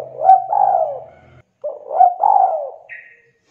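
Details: Spotted dove cooing as a lure to get lazy or silent doves singing: two mellow, husky coo phrases, each with short rising notes and a long drawn, falling final note. A brief higher chirp follows, with a faint low hum early on.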